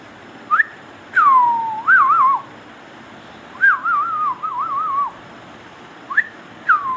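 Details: Pet Indian ringneck parakeet whistling in bursts: sharp upward notes, a falling slurred whistle, and longer wobbling trilled phrases, separated by short pauses with faint background hiss.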